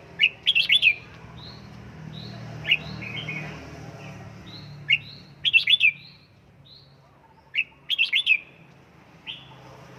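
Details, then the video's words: Red-whiskered bulbul practising at home for căng lửa condition delivers sharp, bubbly bursts of three or four rich whistled notes, separated by a few seconds with faint chirps between, over a low hum. "Cách luyện chào mào căng lửa | Dợt chào mào tại nhà, QUÁ HAY nhanh căng lửa chào mào"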